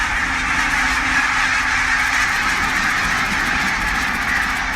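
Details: Hundreds of wild barnacle geese on their wintering grounds in southern Scotland, heard from a photography hide before sunrise, form a dense, unbroken wall of overlapping yelping calls with no single bird standing out.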